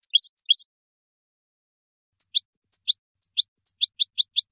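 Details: Wild European goldfinch song played for young birds to learn from: high, thin chirps in two quick clusters, a pause, then a run of rapid downward-sweeping notes repeated about twice a second.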